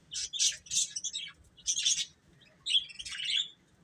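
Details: Chicks giving short, high, sharp peeps in distinct bursts, several quick notes close together, a pause around 2.5 seconds, then a final cluster of chirps.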